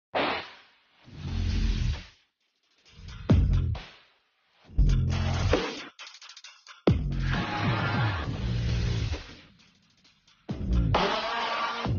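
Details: Electronic music with heavy bass and drum-machine beats plays in bursts separated by brief silences, with no animal sound.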